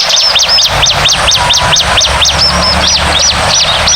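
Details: Rapid high arched chirps of a bar-winged prinia lure track in the noisy 'ribut' style, a steady, fast, slightly irregular series running through the whole clip.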